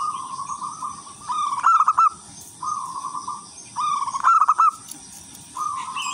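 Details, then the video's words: Local wild-type zebra dove singing loud, melodious song used as a lure for other zebra doves; soft, steady cooing phrases alternate with quick rolling, trilled bursts, repeated about every two seconds, over a faint background hum. "perkutut lokal alam gacor irama merdu jadi pancingan semua perkutut"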